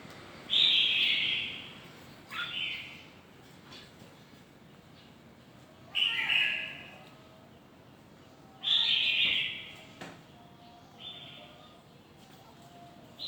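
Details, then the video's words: A red-whiskered bulbul sings short, bright, whistled phrases, about five in thirteen seconds, with quiet gaps between. Faint background hiss. "Red-Whiskered. Old and Stunted Bird of The Forest sing the 6 to 12 sounds long voice"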